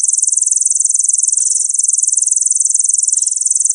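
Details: Kolibri ninja, the purple-throated sunbird, a mimic of other birds' voices, delivering an unbroken, very high, buzzy trill of fast, evenly spaced pulses throughout, with faint soft chips underneath.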